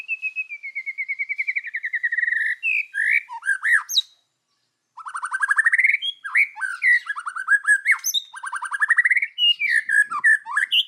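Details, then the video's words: White-rumped shama in forest-voice kéo thuốc lào song, meant to rouse other birds: a long even train of rapid notes sliding slowly downward, brief slurred phrases, a short silence, then rising note trains and varied whistles. "chòe lửa hót giọng rừng. kéo thuốc lào kích bổi. tiếng chim chích chòe lửa hót"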